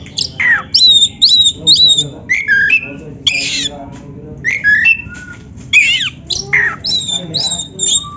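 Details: Oriental magpie-robin of the black-breasted form, caged, singing as a lure to make other birds sing; loud rapid series of whistled notes, harsh squawks and downward slides in close succession.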